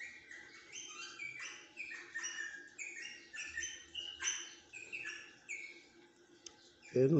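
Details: Rosella keeping up a steady stream of short whistled chirps and slurred notes for several seconds, then a loud low thump at the end.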